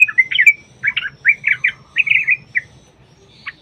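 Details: Yellow-vented bulbul song, a long fighting-style rapid phrase used as a lure to make caged bulbuls sing: bubbly chattering notes in quick clusters, a pause, then a final sharp falling note, over a low background hum.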